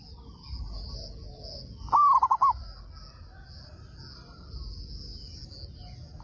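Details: One loud song from a local Indonesian zebra dove, kept for its big voice that prompts other doves to answer: a rising coo with rapid broken notes, and another song begins at the very end; steady high hum behind.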